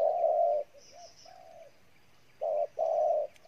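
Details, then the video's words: A wild-caught spotted dove coos hard: one long, low coo, softer short notes, a pause, then two strong coos. "Bổi Gù Quá Dữ"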